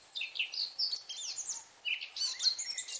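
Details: Eurasian blackcap (Sylvia atricapilla) giving a busy, high chattering warble of fast, varied short notes in two bursts, with light background hiss.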